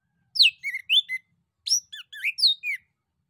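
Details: Singing male orange-headed thrush, a lure song to get other birds to reply: two varied phrases of sharp downslurred whistles and twisting notes, each phrase of four or five elements, with a short gap between.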